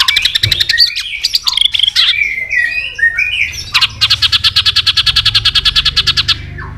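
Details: A captive white-rumped shama, stimulated to sing hard, gives loud, varied whistles and slurred phrases, then a rapid rattling burst of about twenty sharp notes in two and a half seconds.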